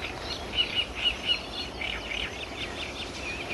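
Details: Eurasian blue tit (Cyanistes caeruleus) at Toffo, Villa d'Adda, Italy, on 14 May 2008, giving thin, high calls, four quick notes in the first second and a half, then softer twittering over a faint background hiss.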